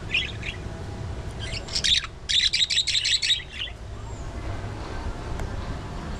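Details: Budgerigar colony in an aviary: a rapid run of about eight bright, even chirps in under two seconds stands out after a few scattered notes, then quiet background hiss.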